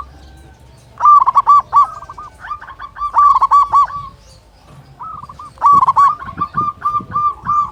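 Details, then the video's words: Local zebra dove singing as a lure for silent or stressed doves: three bursts of quick, stuttering coos, each a tight run of short, rolling notes at one pitch, separated by brief quiet gaps. "Perkutut Lokal Gacor Suara Besar Masteran Pancingan Burung Perkutut Agar Bunyi"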